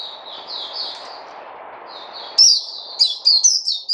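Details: A white-eye (puteh) recorded 29 August 2020 gives soft, drawn-out high twitters over a steady hiss. A louder run of sharp chirps bursts in at the end.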